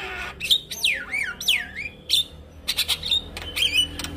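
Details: Male Javan myna singing vigorously as a tutor song for other mynas to copy: loud swooping whistles rising and falling, mixed with harsh squawks and clipped high notes, over a low background hum.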